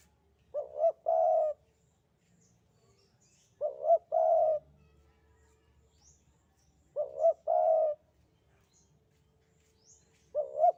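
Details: Javan spotted dove calling actively in the sandungan kuk 2 style: a soft, low cooing phrase of two quick notes followed by a longer sustained coo, repeated about every three seconds against a quiet background.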